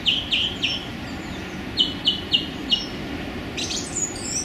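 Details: On a sunny January day in a small London park, a male song thrush sings: three quick notes, then a brisk run of four identical sharp notes, followed by thinner high flourishes.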